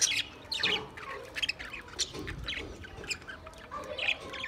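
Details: Budgerigars recorded 28 April 2023 squawking and chirping in a harsh, crowded jumble of high notes, loudest at the start and fading into looser scattered calls.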